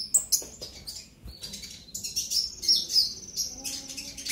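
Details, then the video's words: Purple-throated sunbird (konin) with a brown breast, just past juvenile spotting, in the excited ngobra emosi style used as a training lure: dense, continuous high chittering and rapid thin chirps with a soft background hum. "Pancingan KONIN Bahan agar GACOR NGOBRA EMOSI - Purple Throated Sunbird"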